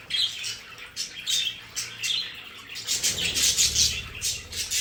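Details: Multiple pet budgerigars chirp and warble in their play area, bright squeaky notes in quick bursts, growing busier toward the end with a low rumble underneath.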